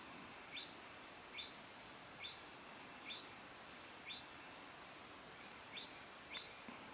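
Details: Long-billed hermit (Phaethornis longirostris) singing at Río Santiago, Atlántida, Honduras, repeating a single sharp, very high squeaky note about once a second, eight times, over a steady high insect-like whine.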